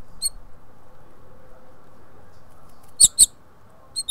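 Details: House finch nestlings, five hatchlings in the nest, give a few thin, very high squeaky peeps, one early and a quick pair near the end, over a low, steady background hum.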